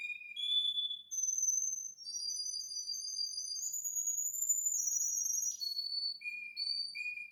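A Russian canary sings a continuous run of pure, high whistled tones and trills, stepping between pitches with sustained notes and quick rolls.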